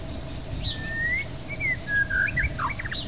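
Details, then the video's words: White-rumped shama delivering long smooth whistled notes followed by quick rising and falling chirps, with a faint steady hum beneath. "Murai Batu"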